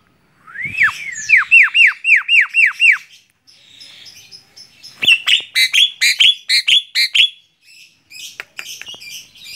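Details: A tame Javan myna sings from a hand: a rising whistle leads into seven or eight sharp descending whistled notes, a brief pause, then a second run of clear repeated notes and some dry ticks.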